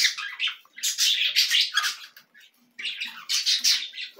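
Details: Loud, rough begging squawks from cockatiel chicks at feeding, in two clusters of quick harsh bursts split by a near-silent pause.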